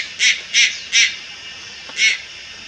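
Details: Juvenile Malayan night heron calling at Lugu on 30 July 2022: four harsh, hoarse, broadband squawks, three in quick succession about a third of a second apart, then a pause and a fourth.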